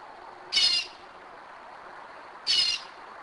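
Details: Two grating, buzzy high calls from a Northern mockingbird at 2am in Kennesaw, Georgia, about two seconds apart over faint background hiss.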